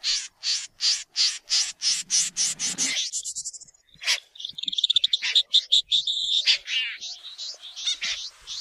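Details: White-throated fantail (Rhipidura albicollis), call.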